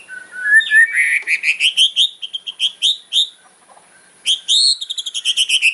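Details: White-rumped shama in loud kretekan fighting song with sharp fill, posted 4 September 2025; rising whistles build into a rapid rattling sequence of pulsed notes, a brief pause, then another fast metallic stuttering burst.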